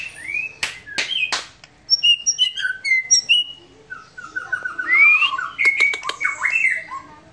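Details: A white-rumped shama sings a relaxed song: a few sharp clicks, a series of short high chirps, then a flowing passage of rising and falling whistles.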